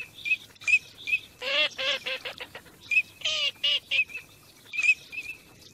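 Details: Teal calling during migration: short clear whistles near one pitch, repeated in small bursts, mixed with harsher stacked buzzy notes and a few rapid nasal calls, several birds overlapping.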